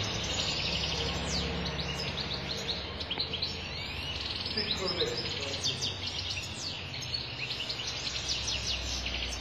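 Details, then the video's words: Sharmar-style European goldfinch in strong song, a rapid, unbroken stream of bright twittered notes and quick chirpy slurs, with low rumbling background noise beneath. "مقنين شرمار قوة وغناء خالي من الأخطاء"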